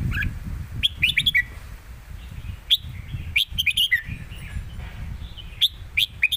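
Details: Red-whiskered bulbuls kept in cages dueling in song, phrase answering phrase in the southern Thai master style; three short bursts of sharp, chirpy whistled notes, each phrase ending in a downward slur, separated by pauses.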